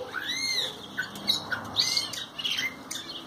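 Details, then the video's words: Ocellated thrasher singing: a varied run of harsh, scratchy phrases and sweeping whistled notes, some rising and falling, delivered in short bursts with brief pauses. "Huitlacoche barranqueño cantando"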